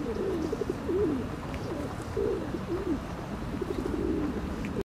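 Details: A run of low, curling, wavering notes from a ring-necked duck, given in quick irregular bursts through nearly five seconds, over a steady wash of background noise.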